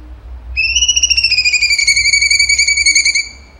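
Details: Ringing, fast-pulsed whistle of a cucak cungkok in vigorous 'tembakan' song, holding a nearly level pitch with a slight downward drift for about two and a half seconds.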